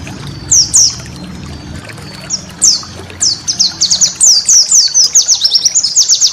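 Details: White-eye master song meant for cage-bird training: spaced, sharp, high downslurred chirps that quicken into a string of rapid twittering notes toward the end. A low hum runs in the background.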